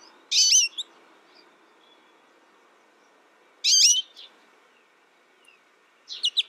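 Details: Young American goldfinch raised alone and tutored by a recording utters two bright, high, rising-falling call bursts about three seconds apart, then a quick twittered pair at the end; steady low hum beneath.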